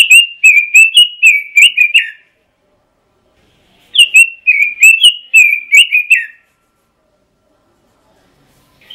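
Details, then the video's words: Pekin robin in ngoceh song repeats two matching bursts of rapid, bright whistled notes, each about two seconds long, separated by clean silence. "Suara Kicau Burung ROBIN - Ngoceh"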